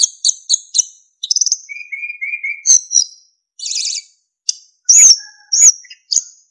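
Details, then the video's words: Varied narcissus flycatcher training song with fill-ins and flute-like whistles. Quick high chirps lead into a fast trill, then three soft lower whistled notes, a buzzy burst and loud ringing high whistles. "MASTERAN BURUNG SIKATAN EMAS GACOR FULL ISIAN & SULINGAN JERNIH"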